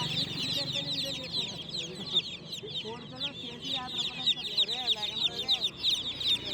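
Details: Many just-born chicken chicks peeping loudly at night, shrill chirps in uneven bursts, joined midway by some lower, buzzier trilled calls that swell and fade.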